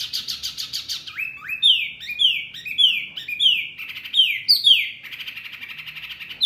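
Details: Mini wambi bird, described as extremely noisy and provoking other birds: a buzzy trill followed by repeated loud rising-then-falling whistled chirps in quick bursts.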